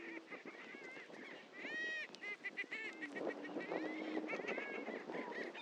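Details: Greater prairie-chickens at a historic lek on Dunn Ranch Prairie, Hatfield, Missouri: a busy chorus of repeated nasal, harmonic cackles and whooping notes with a low steady moaning tone partway through.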